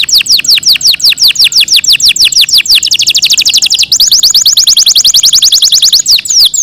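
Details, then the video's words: Caged Yorkshire canary in long melodious song, a continuous run of fast repeated downward-sweeping whistles, shifting into quicker rolling trills with brief changes of tempo throughout. "yorkshire canary long melodious sound"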